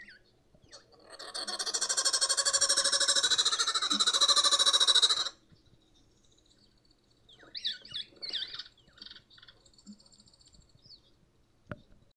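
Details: A loud, rolling, harsh laughing-kookaburra-like cackle lasts about four seconds, then after a pause softer chattering notes follow, in a quiet indoor setting; it is said to be not quite a kookaburra, yet a kookaburra.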